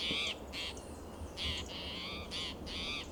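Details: Restless spotted towhee persistently calling in Del Monte Forest, California, during territorial behavior on a June morning; four harsh, wheezy mewing notes in quick uneven succession, with a faint low background hum.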